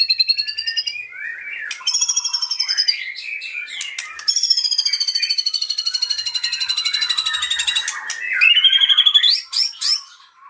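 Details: Caged white-rumped shama singing a cililin fill-in, agitated: a varied, rich stream of long high whistled trills, rapid repeated notes and lower warbled phrases, changing every few seconds.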